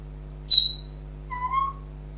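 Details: Pet African grey parrot giving two short, clear whistled notes: a high thin note that fades quickly, then a lower steady whistle that rises slightly at the end. The room is otherwise quiet apart from a steady low hum.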